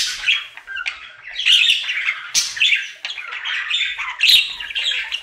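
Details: Pet budgerigar, a male, in his everyday singing session: dense chatter of squeaky, grating notes and clicks, swelling and fading in waves, with a few sharp squawks standing out.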